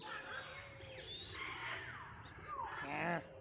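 A peacock gives a single loud, nasal, harmonic cry near the end, over a steady background hum with faint chatter and scattered chirps.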